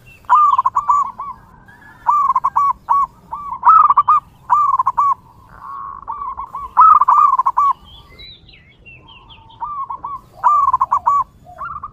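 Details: Zebra dove, a local wild bird whose song serves to lure others: lively, repeated clusters of short staccato coos in regular phrases, a brief quieter lull, then more bursts, with faint high bird whistles in the background.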